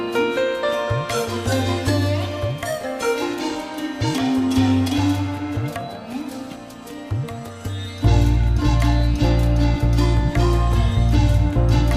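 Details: Plucked sitar-like strings and tabla-style drumming, growing to a louder, steady beat, with no animal sounds.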